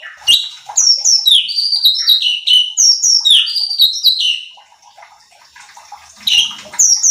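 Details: Cucak cungkok bulbul song for training other birds: a dense series of sweet, sharply falling whistled notes, then a quiet gap before the phrase starts again.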